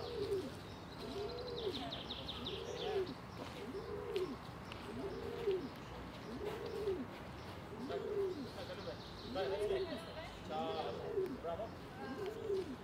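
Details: At Ljubljana Castle, Slovenia, on 4 June 2023, a feral pigeon gives low, throaty coos that rise and fall, repeated steadily almost every second, with thin chirps of small birds and faint background voices.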